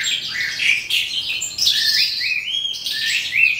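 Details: At day's end an Eastern calandra lark delivers a lively, tumbling song of rapid twitters, buzzy notes and clear upward and downward slurred whistles, sounding nearly continuous and varied throughout.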